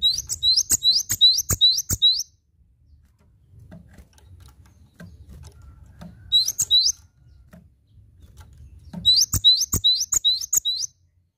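Cinereous tit song: three spells of fast, high, scratchy repeated notes, each lasting a second or two, over a low rumbling background hum.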